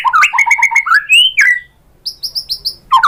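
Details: White-rumped shama singing to provoke other birds to sing: rapid repeated chattering notes, a rising whistled slur, a short pause, then a series of thin high downslurred notes.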